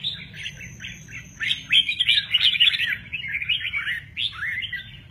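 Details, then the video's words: Red-whiskered bulbul in mơ ché nẹt style, wings actively playing; rapid tumbling chirps build into a loud, rich warbled burst, then trail into slurred rising and falling notes over a soft low rumble. "Chào mào mơ ché nẹt, chơi cánh rất hay"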